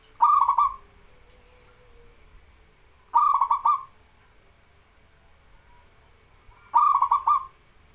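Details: Zebra dove of local stock in lively song, intended to prompt reluctant doves to call; three rapid stuttering coos about three seconds apart, a faint low whistle-like tone between the first two, light background hiss.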